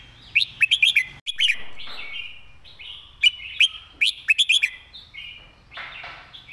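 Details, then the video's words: Red-whiskered bulbul giving a quick, repetitive master song: clusters of sharp, bright whistled notes in rapid succession, broken by softer warbling slurs, with little background noise. "เพลงดี"ปากไว เดินเพลงย้ำๆ เพลงแม่บท"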